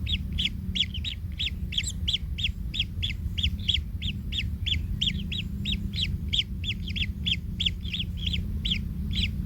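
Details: Baby kingfishers in their nest as a parent steps on a chick, which cries in pain: rapid rasping notes follow one another without pause, sometimes overlapping as if from several chicks, with a low steady hum beneath.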